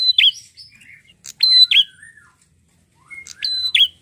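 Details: A prinia, described as red-headed, gives loud, sharp chirps and high buzzy notes with quick dipping slurs, in short bursts about every one and a half seconds.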